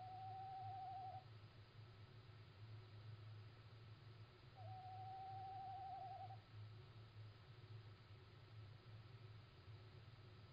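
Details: Little owl at night on 17 March 2016 around 01:56, giving two long, even, wavering hoots about four seconds apart, the second longer, over a steady low rumble and hiss of background noise.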